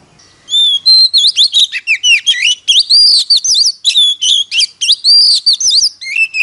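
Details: Oriental magpie-robin decoy in competitive singing to attract wild birds: a long unbroken, richly varied song of clear whistles, downward slurs and rapid buzzy flourishes.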